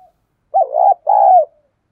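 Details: Spotted dove used as a lure, cooing in the deep 'thổ' style to challenge wild birds. Paired low coos: a short bubbling note then a sustained, gently falling one, in silence otherwise.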